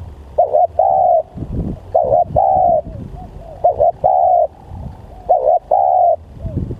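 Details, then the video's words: Very vocal spotted dove used as a lure coos four times, each phrase a wavering double note and then a longer steady mellow note, about every one and a half seconds, with soft rumbling in the background. "Pikat Tekukur//Ini Kalau Liat Bl Sangat Bringas//Alias Sangat Gacor"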